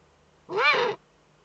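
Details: Nest webcam in northern Rhineland-Palatinate, Germany, 5 May 2013: a female Eurasian eagle-owl scratching in the breeding niche. One raspy, arched, meow-like screech of about half a second stands out against quiet background hum.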